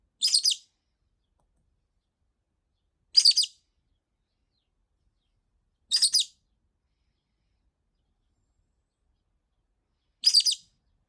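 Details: Pet rosy-faced lovebird venting after a week of no playtime, repeating a high, scratchy chirp four times at intervals of about three to four seconds, with silence in between.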